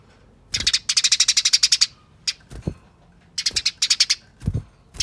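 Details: Fighting chatter of the Eurasian tree sparrow, played as a lure so other sparrows join in: long, very fast, high rattling runs of a dozen or more sharp notes, then further shorter chattering bursts, with low knocks between.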